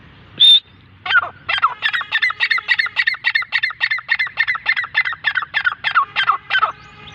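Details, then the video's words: Grey francolin (teetar): one high clear whistled note, then a rapid run of harsh, grating double-toned notes repeated about three to four times per second for nearly six seconds, steady and loud. "Teetar Voice|| top 5 sounds of Dakhni teetar birds||gray francline awaz || Irani teetar ki awaz"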